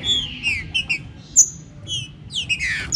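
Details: Green-winged saltator warming up its song, the 'chuva com boi' style. Short whistled notes fall in pitch, in quick pairs, with one sharp high chirp, ending in a rushing downward whistled phrase.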